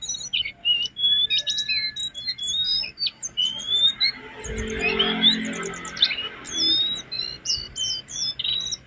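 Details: Jongkangan song used as a training master for cage birds: sharp high chirps and thin whistles in rapid sequences, with a soft low background rumble midway.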